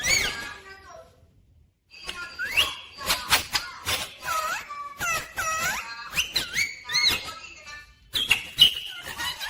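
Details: Rose-ringed parakeet that talks, reportedly saying "mummy papa": a run of quick squeaky, nasal speech-like syllables and bent whistled notes after a brief pause, closely spaced and varied in pitch.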